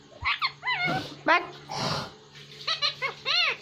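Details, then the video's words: Hindi-speaking pet parrot indoors. Mixed squeaky, voice-like notes are interrupted by a brief human voice and breathy noise, then end with three clear arched harmonic calls in quick succession. "Parrot Talking| Einstein My Cutest Hindi Speaking And Talking Parrot"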